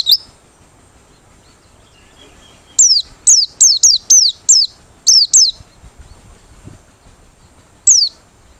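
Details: Merapi white-eye singing with open beak, the song used as a lure: a run of about eight sharp, high downward-slurred whistles in quick succession, then a pause and one more note, over a faint background hum.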